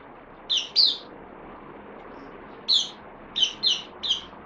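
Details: Bulbul recently received on loan, 12 September 2020: a doubled chirp, a two-second gap, then a lone note followed by three quick slurred whistles in a row. A quiet hiss runs underneath.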